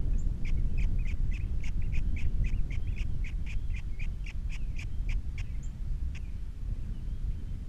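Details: Osprey at a Captiva nest with three chicks, from a nest camera on 21 February 2022: a long, steady series of quick, clipped chirps, about three per second, fading out near the end, over heavy low wind noise.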